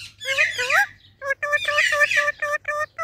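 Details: Talking Indian ringneck parakeet greeting baby parrots, its voice a raspy, harmonic, speech-like stream: a long, wavering, sliding phrase, a short gap, then a string of clipped, nasal syllables.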